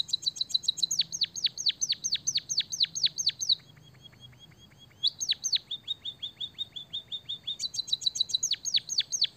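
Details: White-headed munia in full song with canary-style fill-in: long runs of fast, high, sharply downward-sweeping whistled notes, a soft stretch of quieter chips, then renewed rapid bright trilling phrases.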